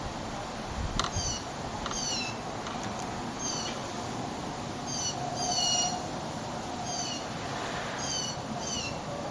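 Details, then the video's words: Blue jays in a group, giving bright, brief downslurred notes, often doubled or tripled, repeated through the recording, with a couple of sharp clicks early on and constant low-pitched background noise. "These Blue Jays are making some noise"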